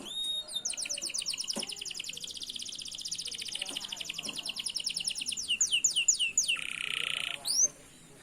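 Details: Canary singing in a lure recording for teaching canaries to sing: long fast rattling trill of repeated high notes, then several falling whistles and a brief harsh buzz.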